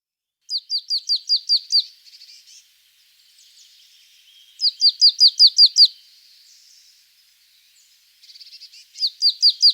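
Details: Marsh tit singing: quick bursts of about seven high, clipped notes, each dropping in pitch, given in a fast even series, then a pause before the next burst. A soft background twitter fills the gaps.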